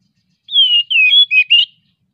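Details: Singing Oriental magpie-robin (kacer) in breeding condition, used to stimulate silent birds: a clear phrase of four high whistles, a long descending slur followed by shorter warbling, bending notes, with silence around them.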